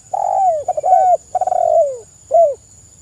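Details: Lively tekukur, the spotted dove, in song meant to lure and train other birds: a rough coo tumbling downward, a rapid stuttering run into a long falling coo, then a single short coo, with steady faint high whine throughout.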